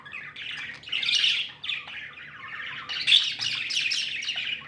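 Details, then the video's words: Happy budgerigars as pets warble in a nearly unbroken flow of raspy, chattering notes, with a louder sharp peak midway through. "Happy budgies chirping sounds"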